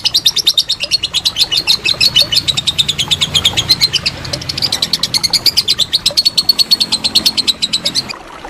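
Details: A lovebird's extended ngekek, meant as master material for competition birds: high, buzzy chattering pulses repeated rapidly and evenly for about eight seconds before stopping abruptly.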